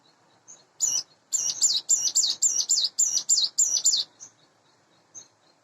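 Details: In the morning, a caged, hand-reared Sunda bush warbler roughly eight months old gives a short burst of rapid, very high, down-hooked notes, about ten in three seconds, preceded and followed by quiet soft chips.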